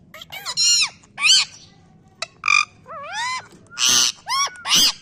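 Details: Pet parrot barking like a dog: a run of loud, harsh bursts mixed with arched, ringing squawks, separated by short pauses.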